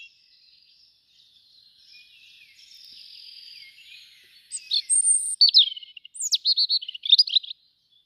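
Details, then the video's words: A young European robin at a bird webcam on 2 August gives thin, high, scratchy warbles, then a burst of sharp, loud chirps and trills in the last three seconds. "jeune rouge-gorge"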